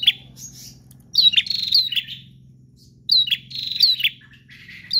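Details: Persistent bar-winged prinia song, two bursts of sharp high chirps about two seconds apart over a low droning hum.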